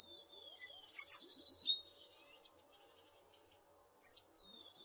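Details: A tit gives a burst of high, thin whistles and slurred trilled notes, then falls silent before brief high whistles resume near the end.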